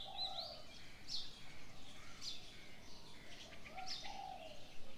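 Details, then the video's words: Birds calling in the morning: faint high chirps and short whistles alternate with a few soft low coos, set against a hiss of background noise. "Birds sounds on the morning 清晨鳥鳴"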